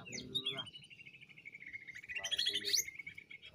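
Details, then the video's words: Greater green leafbird from Banyuwangi, lure recording: a long sustained warbling trill held fairly level, rising into a brighter, louder burst near the end, with low muffled background noise throughout. "Pancingan Full Jamtrok -Ngentrok+Volume+Durasi"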